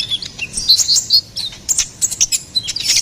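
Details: Lively ruby-cheeked sunbird song, used for tutoring and luring cage songbirds: sharp, very high tweets and brief squeaky trills come in fast, uneven clusters separated by short pauses.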